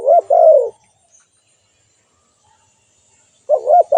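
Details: Spotted dove coo at both ends with a quiet gap between. The first phrase closes with a drawn-out low note, and a new phrase opens with two quick soft notes.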